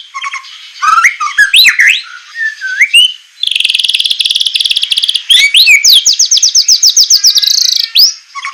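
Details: White-rumped shama singing on a training recording for captive birds, semelet style with harsh shot-like notes: swooping whistles, a steady buzzy trill, then a rapid string of rising notes.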